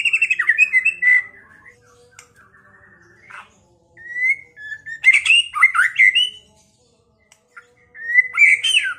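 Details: Kept white-rumped shama (murai batu) from Pekalongan in provocation song aimed at rivals, urging them to fight and sing. A rapid run of notes opens, then soft scattered calls and loud bursts of varied whistles and harsh notes.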